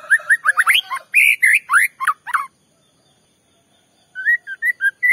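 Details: Provoking song of a white-rumped shama: a dense string of varied whistles, upslurs and chattering notes, then a silence of over a second before short rising whistles resume.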